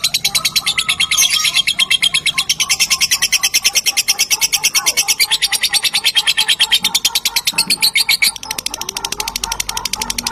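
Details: Lovebird pancingan, a lure sound played to make other lovebirds join in: dense, rapid, shrill chatter repeated about three times a second, with faint lower tones underneath and a brief drop in intensity near the end.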